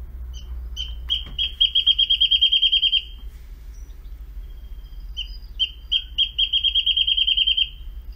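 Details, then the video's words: A wrentit gives its bouncing-ball song twice: a few spaced, high, sharp notes that quicken into a rapid, even trill, over a faint low rumble. "wrentit song"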